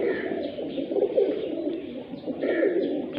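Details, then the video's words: Fighter pigeons kept in a Sindhi village, Pakistan, giving deep, burbling coos that swell and fade in uneven bursts, a dense murmur of several birds close together. "kabootar fighter Pigeons in Sindhi village Pakistani"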